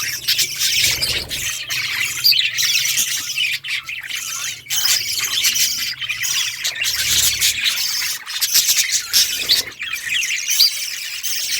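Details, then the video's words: A long stretch of budgies chirping and chattering nonstop, high twitters and squawks layered densely with brief quieter gaps, over a faint background hum. "budgies singing"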